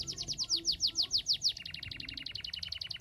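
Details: Canary song played to encourage reluctant canaries to sing: a steady series of loud descending whistled notes, then a faster, softer rattling trill of short repeated high notes.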